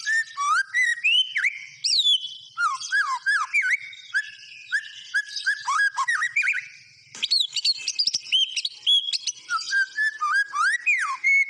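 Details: White-rumped shama delivering a long, rich song: fluty whistles, quick slurred note runs and chattering trills, a short pause, then more varied whistled phrases and sharp clicks.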